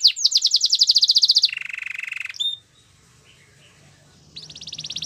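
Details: Canary song: a rapid, bright trill of high repeated notes, then a lower, buzzy rolling trill, a quiet gap of nearly two seconds, and the high rapid trill starting again.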